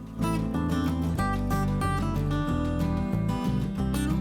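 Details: Strummed acoustic guitar music plays throughout, with no animal voices heard.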